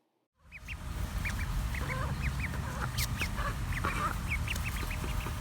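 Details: A captive female mallard with a deformed foot, foster mother at a Cape Cod, Massachusetts wildlife rehab centre in summer 2019, chirps at an orphan duckling who peeps back at their reunion: rapid high rising peeps, lower soft chirps, rumbling background.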